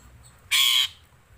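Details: A single loud, raspy, broadband screech from a black-collared starling (jalak suren), lasting about a third of a second against a soft low rumble.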